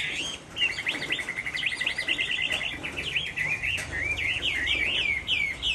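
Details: A Chinese hwamei in Hai Phong sings on a rainy afternoon, a loud, fast run of varied whistles, slurred notes and quick trills without pause, over a faint steady hiss of rain.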